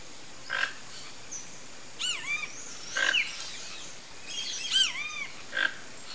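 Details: Several harsh croaks from a vocalizing flock of toco toucans, spaced a few seconds apart, overlapping with looping, whistled phrases from other birds in the background.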